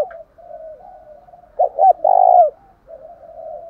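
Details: Spotted dove decoy's challenge coo, used to make caged birds respond: a pair of short hollow notes followed by a longer sliding coo, set against a faint, steady murmur of distant cooing.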